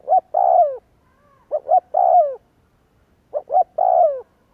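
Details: Lure coos of a spotted dove, played to prompt other doves to answer: two quick soft notes then a drawn-out, downward-sliding coo, the three-part phrase repeated about every 1.8 seconds, three times, with silence between.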